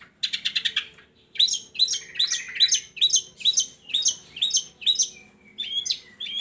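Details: Long-tailed shrike song used to lure lazy shrikes into singing: a rapid run of bright chattering notes, then varied scratchy, warbling phrases repeated about twice a second, with a faint steady hum beneath.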